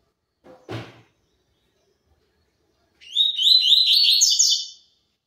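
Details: Tui tui zel zel song of a double-collared seedeater: after a soft thump, a fast, high, warbled phrase of linked whistled notes runs for nearly two seconds, then stops cleanly.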